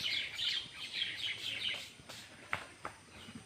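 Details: Baby birds inside their nest give quick, high, thin chirps in a dense chattering burst for about two seconds. The chirping then fades to a few faint clicks over a quiet background.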